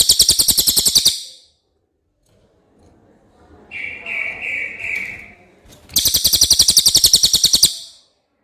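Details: Common iora with a clear song: two bursts of rapid, high buzzy trilling, separated by a pause holding a few softer, lower whistled notes.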